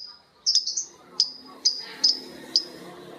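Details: Lovebirds answering one another in a long ngekek chatter: a burst of sharp, high chirps near the start, then single shrill chips roughly every half second over a faint background hum.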